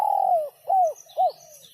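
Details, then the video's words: Spotted dove in sấm chuông style, used to stimulate both sexes: a long falling coo followed by two short, rounded coos. Faint high twittering of other birds in the background. "Tiếng chim cu gáy sấm chuông cực chất cực hay kích trống kích mái kích bổi hiệu quả"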